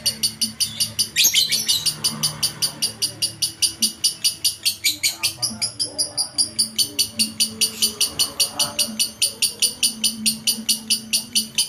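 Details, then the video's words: Lovebird in full, vigorous song (gacor), a tutor recording used for training: a fast, very regular stream of high, shrill chirps, about two or three per second, continuing throughout with little variation. "suara masteran Lovebird gacor"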